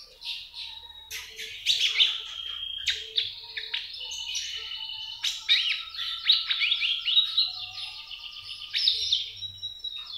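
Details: Trotolan-style song of a kept common iora, used to coax other birds into singing: a long run of sharp chips and rapid trills mixed with sustained high whistled notes, steady and continuous, over a faint low background hum.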